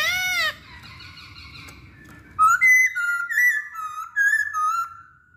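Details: Masked laughingthrush song used as a lure to get other birds singing: a bright harmonic whistle first, then a quieter pause and a run of clear, slightly wavering whistled phrases repeated at a quick pace.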